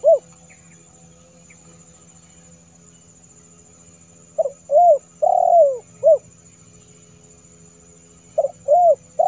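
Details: Spotted dove call used to lure and summon wild doves: a brief coo at the start, then a phrase of short and drawn-out mellow, tonal coos, the long note sliding down, repeated near the end against a faint steady hum.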